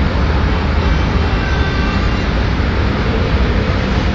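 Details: Heavy urban traffic roars steadily in Madrid, a dense low rumble of vehicles with no animal calls.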